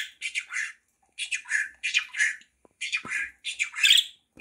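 A budgerigar gives bursts of harsh, scratchy squawks and chatter in quick clusters.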